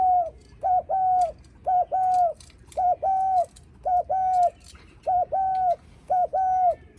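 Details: Rapid, insistent cooing of a spotted dove greeting visitors, 'gù khách' style: short paired low hoots, each pair ending in a longer note, repeated about once a second. Faint clicks and rustles behind.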